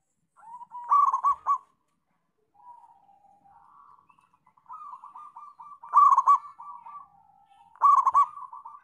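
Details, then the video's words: Local zebra dove song with overlapping callers: loud rolling bursts of quick coos stand out above softer, continuous cooing phrases from other doves nearby, the bursts coming every two to three seconds. "Perkutut Lokal Gacor"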